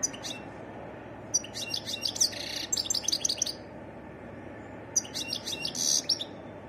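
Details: Varied song of a European goldfinch: two separate bursts of bright, high tinkling twitters mixed with a short buzzy note, separated by a quiet gap of over a second, with light background hiss.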